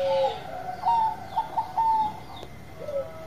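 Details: Bangkok zebra dove singing: a few clear, slightly rising coo notes and one longer whistle-like coo, quieter at the end, with steady background hiss.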